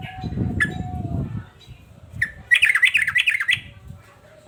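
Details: Agitated male sooty-headed bulbul: two sharp single notes, then a second-long burst of rapid, bouncing, warbled notes, preceded by low rumbling background noise.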